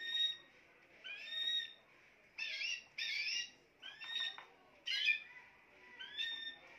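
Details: Spanish timbrado canary pours out a run of loud, rich, rolling bursts, some with a harsh buzzy edge and some more whistled, coming nearly every second.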